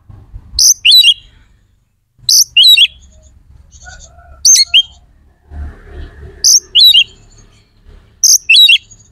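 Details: White-rumped shama song used to raise aggression and breeding drive in other shamas: short high twittering phrases repeated roughly every two seconds over a low background hum.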